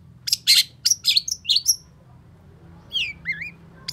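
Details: Excited long-tailed shrike song: a few grating rasps and sharp whistled flicks in the first two seconds, a short quiet gap, then wavy, looping whistled notes, over a low background hum.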